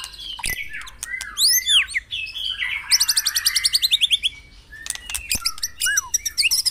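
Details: White-rumped shama song meant to lure caged birds into singing in the morning: swooping whistles and sharp clicks lead into a long, rapid trill of pulsed notes, then scattered whistled phrases.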